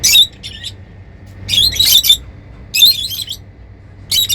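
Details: Happy lovebirds making shrill, buzzy high-pitched chirping bursts, four clusters of rapid squawks separated by short silences, over a low steady hum.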